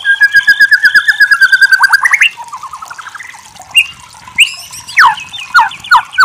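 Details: White-rumped shama delivering a steady run of about a dozen evenly spaced whistled notes, then a pause of softer warbling followed by sharp, loud downslurred whistles.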